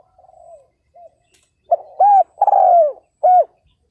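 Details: Spotted dove decoy luring wild males: faint distant coos first, then a loud phrase of a short note, an arched hoot, a long sliding coo and a final arched hoot.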